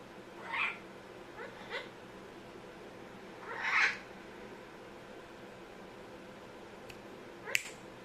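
An Amazon parrot gives three nasal, meow-like calls in the first four seconds, then a sharp click near the end, in a quiet room.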